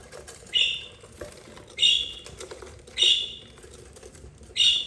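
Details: Four budgerigar chicks, two yellow and two green, eldest 32 days, with their mother; single harsh rasping chirps repeated about every 1.2 seconds over soft rustling.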